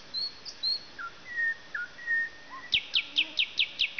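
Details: Nightingale song opening with drawn-out pure whistles at varying pitches, then a loud, evenly spaced series of about seven sharp, high repeated notes, over a hissing background.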